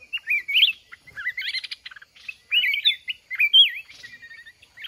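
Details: Red-whiskered bulbuls in a fight-trapping setup with a caged decoy, wild mountain bird: bright warbling whistles in short looping phrases, some quick rising notes, given in bursts separated by brief pauses.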